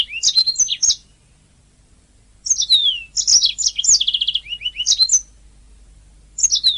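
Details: Canary singing on a master recording for training birds: separate phrases of bright chirps and slurred whistles with silent gaps, one phrase holding a quick rolling trill of repeated mid-pitched notes.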